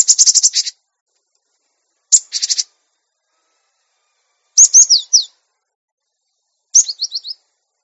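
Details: A cinereous tit gives four short bursts of high, rapid, ringing notes, some sharp and repeated, others quick downslurred whistles, spaced about two seconds apart; a master recording meant to make birds sing readily and become tame.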